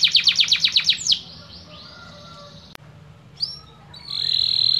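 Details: Canary song in a training recording of the kapas tembak style, with water sounds. A quick trill of about eight high notes is followed by sliding whistled tones, a pause, then a sweeping whistle and a steady high tone.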